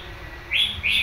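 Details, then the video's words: Red-whiskered bulbul, a caged wild-caught bird kept about one month, giving two short bright chirps, the first slurred and rising, the second a quick dip, about a third of a second apart, over faint low background hum. "chào mào mộc bổi mới mua được 1 tháng"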